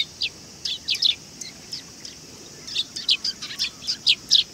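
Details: Sparrows flocking in to be fed at a Tenmangu shrine on 18 August 2020; dense, overlapping high chirps and twitters, loud and uneven, with a clean background.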